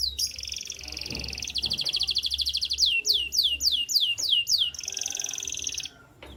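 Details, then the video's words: Canary singing in the morning: fast rattling trills alternate with a series of rapid downward-sweeping whistled notes, then another dense buzzy trill, over a faint low hum. "Canary Chirping Sounds"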